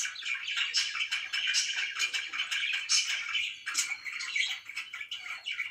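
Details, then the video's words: Morning chirping from pet budgies in a small room: busy overlapping warbled chatter, scratchy clicks and short squeaky notes running without a break. "CHIRPING IN THE MORNING"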